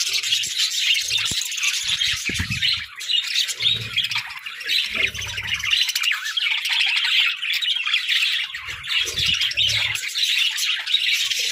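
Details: Cheerful pet budgerigars fill the air with nonstop high warbling chatter, mixing squawky notes and quick chirps, while dull low bumps sound now and then.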